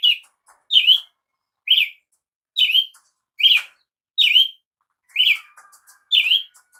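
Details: Brazilian tanager calling insistently: eight sharp rising-falling notes nearly once a second, some with slight double inflection, plus faint background chatter and a low trill toward the end.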